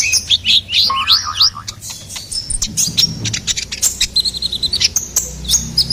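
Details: Ruby-cheeked sunbird song meant to lure and teach songbirds. It opens with a run of rising and falling squeaky slurs, some lower in pitch, then shifts to rapid clicking twitters and a thin even trill.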